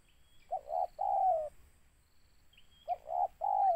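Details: Spotted dove during a bird-trapping outing, giving a short hoarse coo followed by a longer drawn-out coo, then the same pair again after a pause; a thin high whistle sounds just before each pair.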